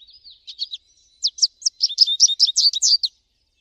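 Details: Song of an American goldfinch in nature, opening with thin high notes and becoming a lively string of evenly spaced, bright chirps and warbles before ending abruptly.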